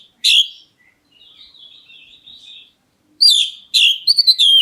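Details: Black-breasted Oriental magpie-robin calling to draw a reply from other birds: one sharp high chirp, a soft wavering warble, then a run of loud, rapid, scratchy whistles at the end.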